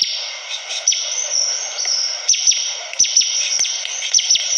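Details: Singing Bar-winged prinia: spaced, sharp, high chirps and quick descending slurs, roughly one a second, with occasional clicks against a continuous shrill background hiss.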